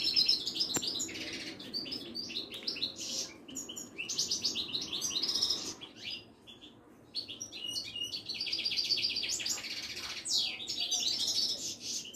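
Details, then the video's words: Caged Moroccan European goldfinch of the local wydani type at a bird market in Casablanca; fast, bright twittering song in dense bursts of high chirps and trills, briefly pausing midway before resuming, with faint background murmur. "طائر المقنين الزين او الحسون الويداني"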